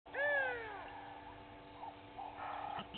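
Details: Egyptian geese from two families fighting at Gowrie dam waterhole, Djuma Game Reserve, Sabi Sand, South Africa, 06:01 on 18 April 2019. One loud harmonic call sweeps downward, followed by faint background bird calls.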